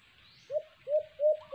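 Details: Three drawn-out, upslurred hooting coos from a white-eared brown dove (alimokon) at a cage trap, each about a quarter-second long and evenly spaced, in near-quiet surroundings.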